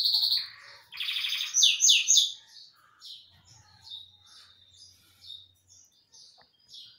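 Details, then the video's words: Belgian canary singing a lot while sunbathing: a loud rich burst of rolling trills and buzzy warbles, then a softer run of quick high chirping notes. "CANÁRIO BELGA ) 🐦 TOMANDO BANHO DE SOL ☀️ É CANTANDO MUITO"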